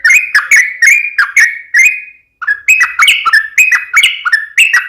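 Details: Sooty-headed bulbul giving energetic 'gacor tarung uplik ropel' song. Clear whistled notes that step up and down between two pitches, delivered in brisk phrases. A short pause comes, then a faster, denser run follows.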